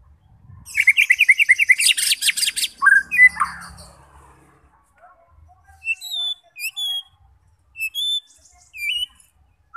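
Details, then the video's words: White-rumped shama song meant to provoke fighter shamas into singing: a fast burst of harsh buzzy rattling notes, then a low slurred phrase, followed by sparse thin high whistled notes spaced about a second apart. "Cocok untuk memancing SEMUA jenis Murai batu FIGHTER, GACOR dan BONGKAR Isian"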